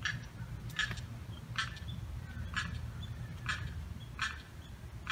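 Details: Lost limpkin youngster separated from its mother by a fence, July 4th; somewhat fainter series of five piercing, scratchy cries spaced nearly a second apart, with low continuous background noise.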